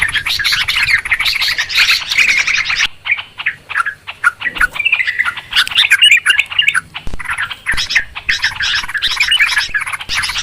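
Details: Clear lure recording for trapping birds: excited, noisy Yellow-vented Bulbul chatter. A thick burst of scratchy chirps pauses briefly, then resumes as quick sharp notes and busy twittering.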